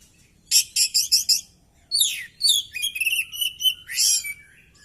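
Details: Oriental magpie-robin with tail spread in a fighting display; a rapid run of five harsh buzzy notes, then sweeping whistles and a long fluted phrase with rattling trills.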